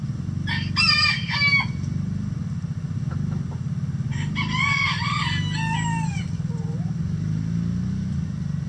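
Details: Coop full of mixed egg-laying chicken breeds: two bursts of loud, stacked, descending squawks from hens, separated by quieter clucks, over a constant low droning hum.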